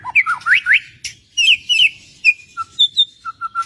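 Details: White-rumped shama in vigorous gacor song: quick rising whistled notes, then bright slurred phrases and a string of short clear repeated whistles, loud against a quiet background.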